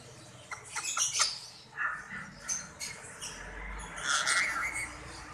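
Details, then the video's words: Rose-ringed parakeet kept as a pet and learning to talk in Urdu and Hindi. Sharp clicking chirps open the clip, followed by squawky, voice-like harmonic phrases, with a louder burst near the end over low room noise. "Ring Neck progress talking and growth in Urdu/Hindi."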